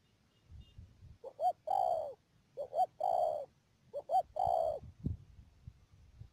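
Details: Decoy spotted dove used for bird trapping in the Mương Điều area of Đầm Dơi, Cà Mau, Vietnam, 12 March 2019, cooing three phrases, each two short rising notes followed by a longer drawn-out coo, about every 1.3 seconds, in quiet surroundings.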